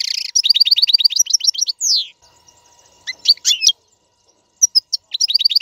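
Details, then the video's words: European goldfinch, a royal goldfinch song played for teaching caged young birds to sing: loud, bright twittering with rapid runs of repeated high chirps, a sliding buzzy note, brief pauses, then the chirp series resumes. "اقوى تغريد الحسون. لتعليم فراخ القفص"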